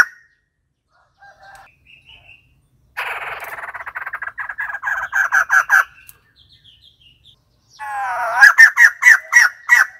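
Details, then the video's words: White-crested laughingthrush: soft scattered chips, then a harsh rattling chatter that speeds into loud cackling notes, a brief pause with faint calls, and a second burst of loud, gobbling laughter. "White crested laughingthrush call"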